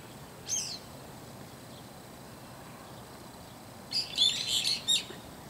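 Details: Early in the morning, a Brown-eared Bulbul calling loudly from inside a hiba tree gives one brief shrill note, then three seconds later a harsh, squealing burst of high calls over a faint steady hiss.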